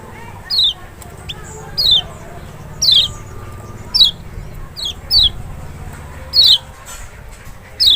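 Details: Lemon-bellied white-eye of Lombok or Sumbawa, used to goad a reluctant bird: loud, slanting high notes dropping in pitch, nine or so at uneven intervals, over a soft low hum and faint clicks.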